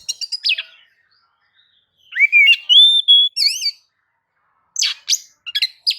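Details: White-rumped shama song played to provoke other birds to sing: sharp chattering notes, a pause, a rising whistle into a long steady tone and looping phrase, then scattered sharp chips and short whistles.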